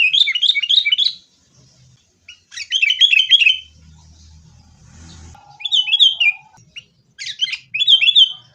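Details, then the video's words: Lively chatter from sooty-headed bulbuls fighting, meant to coax caged birds into song: quick, liquid, warbled phrases in repeated clusters, some rougher buzzy notes, and a faint low rumble in the middle pause. "kutilang gacor TARUNG buat pancingan kutilang agar bunyi jadikan burung kutilang gacor"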